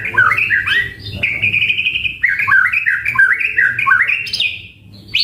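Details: White-rumped shama in full song with varied fill-ins for a lure and training recording: a fast run of looping, bouncing whistled notes with steady phrases and a final sharp upward note.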